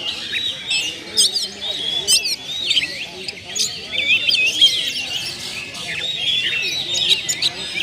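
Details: Lure song from a kept oriental magpie-robin (kacer) showing its isian of mimicked sounds: an unbroken, varied medley of piercing whistles, clicks and trilled flourishes, with a faint, muffled lower sound underneath.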